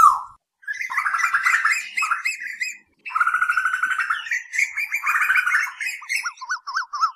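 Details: Asian koel lure audio for night use: an almost continuous, dense bubbling chatter of fast notes, ending in a string of short repeated rising whistles.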